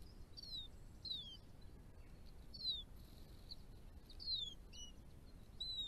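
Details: Hooded Robin, a breeding resident on a revegetated property with shrubs, trees and open spaces in Victoria, Australia: thin, high, downslurred whistles in short irregular bursts every second or two, over a low murmur of background noise.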